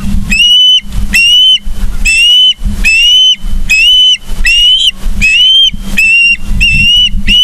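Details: Ospreys in Charlo, Montana, 31 August 2023 at 09:36, live cam: sharp whistled calls repeated about once a second, each a short rising then flattening whistle, steady series over faint low hum.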